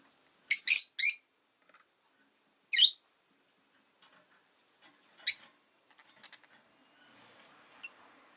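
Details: Shrill, rasping chirps from a Rosy-faced lovebird, a loud double note first, then single calls a few seconds apart, fading into softer chirps and faint background town noise.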